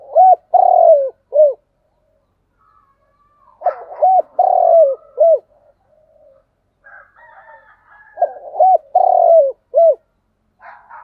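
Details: Spotted dove repeating its thúc gù coo three times at about four-second intervals. Each phrase has a hooked lead note, a long rolled middle coo and a brief end hoot. Quiet chirps from other birds sound between phrases.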